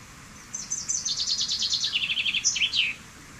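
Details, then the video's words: Common chaffinch (Fringilla coelebs) delivers one song of fast repeated notes that fall steadily in pitch, ending in a bright twisting flourish, with faint background hiss. "Canto del Pinzón Común"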